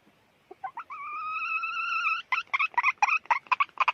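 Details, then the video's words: Calling hen: a few soft opening notes, then a sustained, wavering nasal tone, breaking into a rapid series of short, choppy notes repeated several times per second. "suab poj qaib qug"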